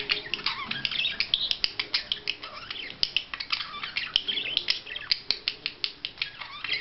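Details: Budgerigar in courtship display chattering rapidly, a dense sequence of high squeaky chirps and rasping notes repeated several times a second, with occasional clicks.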